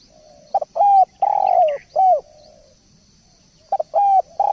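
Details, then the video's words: Tutor recording of a spotted dove singing steadily (gacor): phrases of short clipped coos and longer drawn-out coos, loud and clear, separated by a pause of about a second. "Masteran Derkuku / Tekukur gacor poll"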